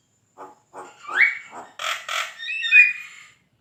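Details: Javan myna in full lively song, used as a master recording to train competition songbirds: a series of rough nasal notes, then a rising whistle, two harsh buzzy bursts, and closing rising whistled phrases.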